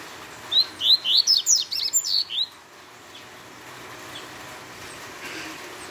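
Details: Rapid Tui Tui song of a double-collared seedeater: one long run of about nine quick, high rising notes lasting two seconds, then steady quiet background.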